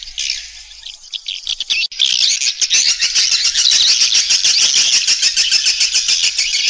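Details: Swiftlets heard in a farming lure sound to bring birds into nesting houses: faint high twitter at first, then a loud, steady, rapidly pulsing shrill chatter.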